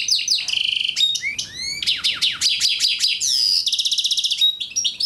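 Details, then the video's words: Algerian goldfinch mule hybrid, 2009, delivering a clear varied song: sharp descending whistled slurs, a sustained buzzy trill and rapid pulsed notes in quick succession. "Chant de mulet Algérien 2009"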